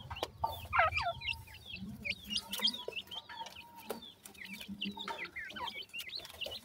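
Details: Partridge chicks calling while they feed, giving many sharp, high, looping peeps and quick chirps from several birds at once, with a few brief tapping sounds and a low rumble behind.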